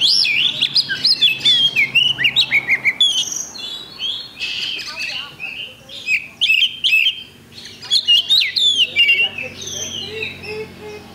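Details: Oriental magpie-robin competing in a songbird contest in Indonesia, 8 October 2020, caged: dense bursts of loud whistles, chattering notes and mimicry-like slurs in quick succession, with short gaps and crowd murmur underneath.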